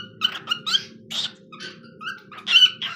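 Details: Three seconds of a caged pet cockatiel's singing: quick, rough chirps and squeaky notes in close succession, some harsh and broad, above a faint indoor hum.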